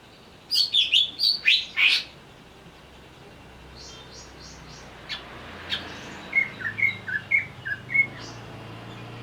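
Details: Provoked, agitated greater green leafbird: a quick burst of five loud piercing notes, a pause, then a softer sequence of short whistled chirps repeated about twice a second over a steady low background hum.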